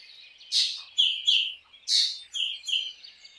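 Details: Black drongo song made of two phrases, each a loud harsh rasp followed by a pair of clear whistled notes, about one and a half seconds apart.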